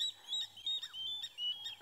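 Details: At sunrise on 5 February 2017 at Twin Dams, Djuma, several water thick-knees alarm together at leopards, and probably a crocodile, with shrill, piping whistles in rapid overlapping bursts over a quiet background.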